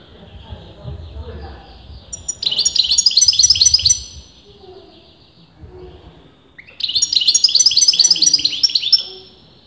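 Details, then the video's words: European goldfinch, sex debated among top breeders, giving two bursts of quick jangling song, each about two seconds of sharp high twitters, with low rumbling noise in the gaps. "غناء متواصل لمقنين"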